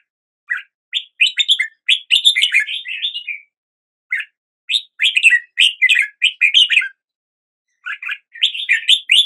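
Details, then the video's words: Red-whiskered bulbul singing at the start of the day: bright chirpy phrases of quick warbled notes, bursts of several syllables separated by short pauses, clean and without other sounds. "Red whiskered Bulbul Song"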